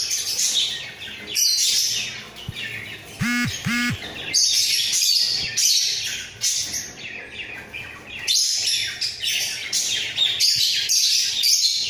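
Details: A pair of budgerigars in a breeding cage, bobbing their heads as they sing: busy, scratchy high chatter in bursts of one to two seconds, with short gaps between. A brief deeper two-note sound breaks in midway.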